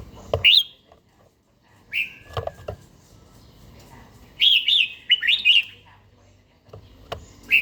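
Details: Red-whiskered bulbul, an older kept bird in daily song training with a wild-style voice, singing in the morning: bright whistled phrases with rising and falling notes in short bursts separated by pauses, plus a fast warbled burst midway.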